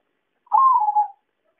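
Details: Zebra dove lure call used to attract and trap zebra doves: a single soft, mellow coo, about half a second long, sliding slightly downward; nothing else is heard.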